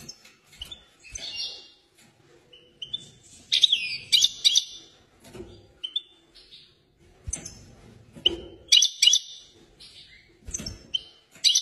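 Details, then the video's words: Agitated European goldfinch song: scattered high chirps and tinkling notes building into dense twittering bursts around four and nine seconds, with short silent gaps and faint low background rumble. "طائر الحسون هائج"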